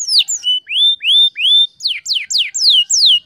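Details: Canary lure song meant to get silent canaries singing again: a fast run of clear whistled slurs, first rising notes and then steeply falling sweeps, about three per second, with no other sounds.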